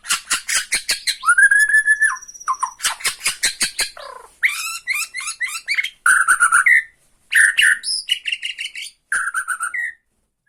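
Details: Bornean white-rumped shama provoking another shama with ketrekan rattling: strings of sharp, evenly spaced clicks, then a clear down-slurred whistle and varied chattering phrases with looping whistles.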